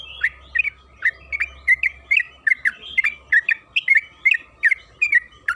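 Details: Trucukan kebo, known in English as the yellow-vented bulbul, sings a fast stream of bubbly, slurred notes, almost continuous, from a recording meant to lure birds into singing; a faint hum runs underneath.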